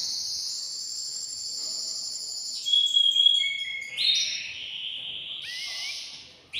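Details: Caged male canary in excited song meant to stimulate a female to mate: long high trills shifting pitch in blocks, with a brief rising whistle near the end.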